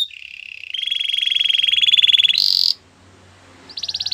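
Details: Canary song intended for training: a sustained rolling trill rising slightly in loudness, a sharp high burst, a pause, then a fast high trill begins.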